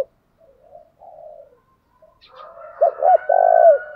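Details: Spotted dove cooing in the thúc gù and gáy gọi styles, used to stimulate a newly caught bird to sing; soft low murmurs lead into one loud phrase of two short rising notes and a longer drawn-out coo, with a faint steady whistle above.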